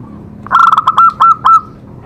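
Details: Zebra dove song used as a therapy recording to set other doves singing: a quick burst of clipped, ringing coo notes, about six in a row, the last ones longer and drawn out, over a faint low hum.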